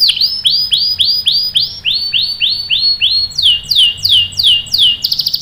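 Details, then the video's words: Canary singing as a lure for other canaries, a series of clear downslurred whistled notes repeated about three times a second, shifting to higher, faster sweeping notes near the end. "PANCINGAN KENARI GACOR cuit cuit bikin NYAUT ikut BUNYI NGEROL PANJANG ¦ CANARY SINGING"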